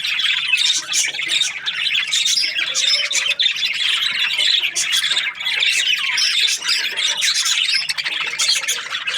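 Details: Budgerigars kept as breeding pairs, many birds chattering at once: a dense, continuous wash of squawky chirps and warbling notes with frequent sharp high clicks, steady and loud throughout.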